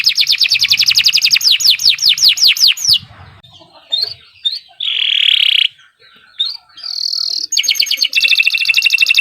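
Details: Kenari Nusantara canary singing long gacor song: a string of descending swept notes, scattered chirps, a loud buzzy roll, a high whistled phrase, then a rapid high trill resuming.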